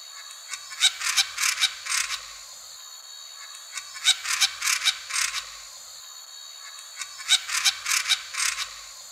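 Black-crowned Tityra gives short bursts of harsh, buzzy, nasal notes, about six per burst, with a burst every three seconds or so. Little else is heard.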